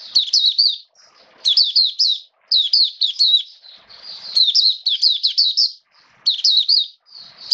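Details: Oriental white-eye (Mata Puteh), a caged hobby bird, in open song on 29 September 2022: repeated high, quick warbled phrases of about a second, evenly spaced, with faint rustling and a thin sustained note between them.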